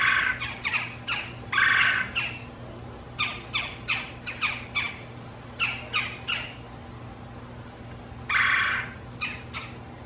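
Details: Two backyard female Red-bellied Woodpeckers keep up their fight over territory, a mate and a nest site; rapid sharp chattering notes run steadily throughout, broken by loud harsh rolling squawks near the start and again late on.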